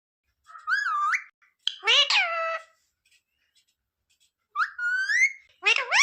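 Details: Speech-like mimicry from a talking pet parrot: four clear bursts, with wavering rising and falling syllables, a dense harmonic phrase and a final upward sweep, separated by pauses of about a second.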